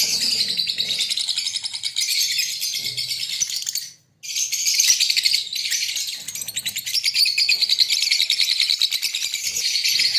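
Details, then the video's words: Breeding pair of green Fischer's lovebirds in Pakistan singing and chirping: a dense, nonstop, high-pitched twittering chatter with many rapid chirps, broken by one short silence near the middle. "Lovebird Singing & Chirping Sound- Green Fischer Pair Lovebirds breeding sound"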